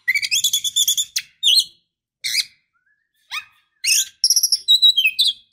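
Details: Female oriental magpie-robin trying to draw song from a male: a fast, stuttering chatter of harsh notes, isolated chips, then a quick, rhythmic run of warbled whistles descending at the end.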